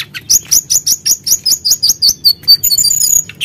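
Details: Sunda blue robin, lively singer, heard in a provoking lure: a quick run of about a dozen bright, evenly spaced chirps, then thin high whistles at the end.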